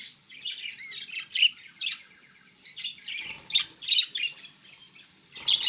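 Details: Chattering pet budgies on 11 October 2016 give a rapid, uneven stream of raspy chirps, short rising whistles and squeaks, with slight clicking noise in the background.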